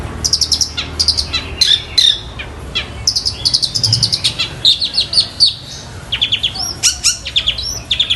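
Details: Long-tailed shrike in full song imitating fighting sparrow and Tengkek Buto calls, pouring out shrill twittering bursts, clipped chirps and brief whistled slurs in quick irregular succession, with faint low background rumble.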